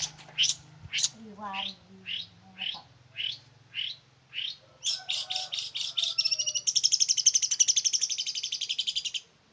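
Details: Energetic song of a male long-tailed shrike from Ngimbang, Lamongan: about ten evenly spaced, rising high whistled notes, then a quick chattering series that becomes a dense, fast buzzy trill, with a low background hum.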